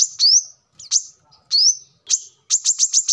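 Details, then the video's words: Brown-throated sunbird, recorded as a lure and song model for training other birds: high, thin rising whistles and sharp slurred notes, ending in a fast series of five or six bright chips, with brief silent gaps. "kolibri kelapa | manggar | wiceh | tidak disangka burung receh segacor ini untuk pancingan |masteran"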